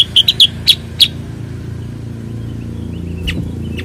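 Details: Cucak kurincang bulbul, also called kutilang sutra or kuniran in Ngawi: five sharp, high chirps in quick, uneven succession during the first second, then near silence with two faint distant notes.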